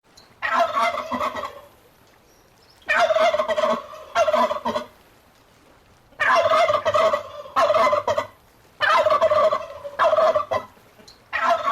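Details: Turkey on a farm gobbling in four loud, harsh, rattling bursts, each about one second long, separated by short quiet gaps.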